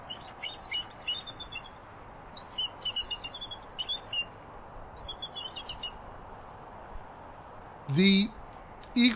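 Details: A Bald Eagle pair at their nest at Turtle Bay, Redding, California, give thin, high, chittering alarm whistles in three quick bursts together as another bird flies over (perhaps a turkey vulture or young eagle); the female's mantle feathers ruffle. A man speaks at the end.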